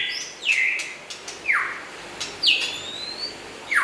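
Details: White-rumped shama, local and forest stock, delivering loud sharp whistled notes about once a second, each sweeping steeply down or up, over a quiet background.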